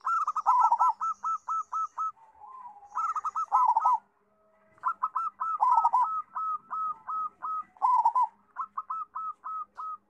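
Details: Zebra dove, a local bird with a large voice used as a tutor for young doves, repeating runs of rhythmic hollow coos with louder rolling flourishes, broken by a pause near the middle.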